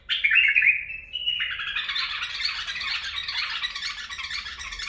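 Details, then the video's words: Bulbul singing the barwaz and mfaraah song styles: a clear, slightly falling whistled phrase, then a brighter rising note that breaks into a dense, scratchy warble lasting several seconds. "برواز + مفاراه من بلبل طور"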